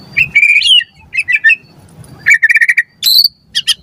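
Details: White-rumped shama singing on a lure recording meant to train captive birds. High, clear whistles and a rapid trill come in short separated bursts, ending in a sharp upslurred note, with faint low background hum.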